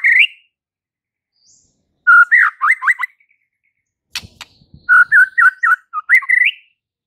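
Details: White-rumped shama, a gacor (in full song) bird singing to provoke fighter males: rich whistled phrases around mid pitch, quick rolling notes between 2 and 3 seconds and again from 5 to 6.5 seconds, with sharp clicks and pauses.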